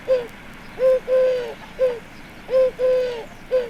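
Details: Eurasian Collared Dove, described as an exotic invader from Asia, among chicken runs and a few conifers: repeated three-note cooing phrases, the middle note long and steady, about every 1.7 seconds, with faint background noise.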